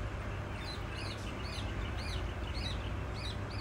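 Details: Female Black francolin (Francolinus francolinus) call: thin, arching high notes repeated about every two-thirds of a second over a steady low rumble.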